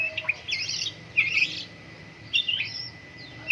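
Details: White-rumped shama in Medan, Indonesia, kept as a caged songbird during morning dew airing, singing energetic bursts of high rich warbled phrases separated by short pauses, with a steady faint tone in the background.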